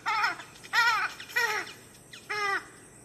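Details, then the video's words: Western swamphen giving four loud, nasal, wailing notes, each under half a second with a slight wavering rise and fall, spaced irregularly over three seconds. "Wester Swamphen | សម្លេងសត្វតូម"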